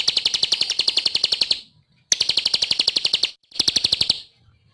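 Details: Energetic ciblek song in three bursts of rapid, evenly spaced high chipping notes, each run lasting one to one and a half seconds and separated by short silences, the last burst shorter.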